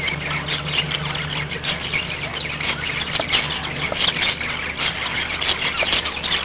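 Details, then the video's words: Group of five pet budgies in lively, nonstop chatter: rapid grating squawks, clicks and bright warbled notes crowding over one another, over a constant low hum. "Budgie yay !"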